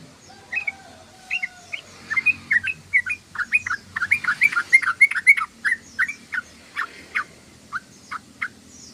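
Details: Sooty-headed bulbul chattering (ngoceh, ngeriwik): a dense, irregular run of short, bright chirps and slurred notes, about three or four per second, rising and falling and carrying on for nine seconds, with a faint low hum underneath.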